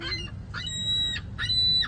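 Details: A gull at a safari park in Canada gives two drawn-out, nasal, mewing calls about a second apart, each ending in a harsher rise, over a low rumble of background noise.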